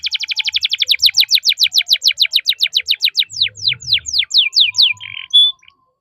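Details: Caged canary singing a long cuit cuit roll used to train young birds: a steady series of about thirty quick downward-slurred notes, slowing toward the end, closing with a short buzz and whistle.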